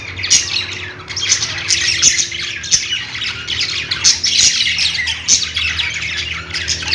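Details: Budgies chatter nonstop in dense, buzzy squawks and warbles, repeated roughly every half second, over a faint low mechanical hum.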